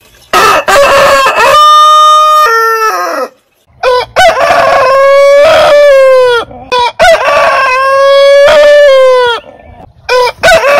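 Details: Several long rooster crows in succession. One is clean and sustained, falling at its close, and others follow in overlapping, loud bursts with short pauses between them.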